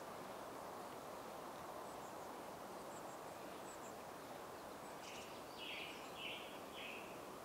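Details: At Barfoot Park, Arizona, a Mexican chickadee gives a few faint high chips, then three hoarse, buzzy notes in quick succession, over steady rustling background noise.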